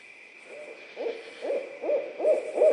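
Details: Barred owl pair calling back and forth near Suwannee River State Park, Florida; short hoarse hoots quicken and grow louder across the clip, the last notes rising into a brief wavering hoot, with a constant high insect-like drone behind.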